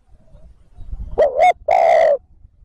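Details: Spotted dove used for luring wild birds, giving a loud two-part coo: a short wavering note, a brief gap, then a longer steady rich coo, over faint low rumbling background.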